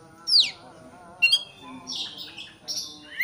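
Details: White-rumped shama song for provoking a rival: a steep descending whistle, then short sharp notes and buzzy rasping phrases.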